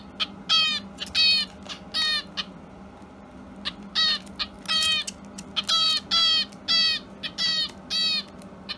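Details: Indoors on 30 March, a pet Java sparrow, left behind by its companion after feeding and a walk in the room, keeps crying: harsh, buzzy cries in short bursts, about one or two per second, over a low indoor hum.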